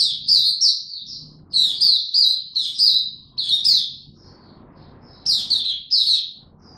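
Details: Oriental white-eye kept for song, ramping up form with buka tiong aw singing, 3 January 2022: clusters of shrill, sweet twitters separated by gaps, soft low hum underneath during the pauses.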